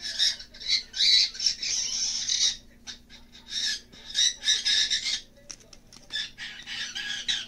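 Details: Loud, harsh screeching bursts come in quick succession from a pet green-cheeked conure encountering cockatiels, with brief gaps between the rough, noisy calls.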